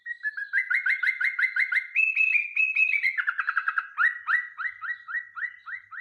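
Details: Yellow-vented bulbul singing as a lure for other songbirds: fast, continuous chains of short, clear, upslurred whistles, a higher steady stretch, then a descending flurry and more evenly spaced rising notes.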